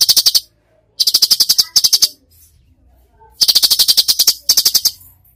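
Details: Cucak cungkok in full 'tembakan' singing, a masteran recording for training birds: rapid bursts of harsh, clicking rattles, each half a second or longer, separated by short silences.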